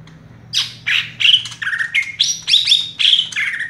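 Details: Cucak ijo (greater green leafbird) perched in one spot, singing tight and fast in 'raja tembak' style: loud squawky notes, then a string of bright whistled chips stepping up and down in pitch.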